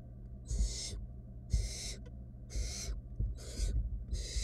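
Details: Barn owl nestlings in a wild nest box during a squabble over a rat one sibling failed to swallow; five rasping, broadband hisses within a few seconds, slightly irregular, with soft thumps and a constant low hum beneath.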